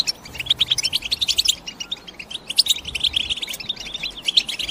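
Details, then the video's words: European goldfinch chirping in rhythmic pulses of short, high notes that come thick and fast, easing briefly midway before picking up again. "The GOLDFINCH CHIRPING SOUND"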